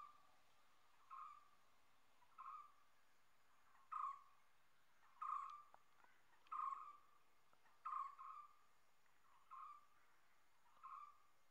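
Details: Common hawk-cuckoo calling: a clear, shrill note repeated about every one and a half seconds, each call rising slightly then falling away, eight calls in steady series over a quiet background.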